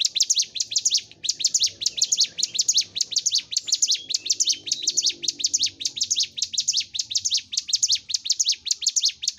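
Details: Training track of Hill Prinia song for caged birds kept in groups: an unbroken stream of shrill, fast chirps grouped in pairs and triplets, steady in rhythm, with a soft low background murmur.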